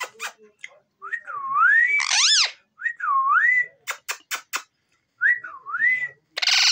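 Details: A pet talking parrot gives three swooping, wavering whistled phrases, broken by harsh rasping squawks and sharp clicks.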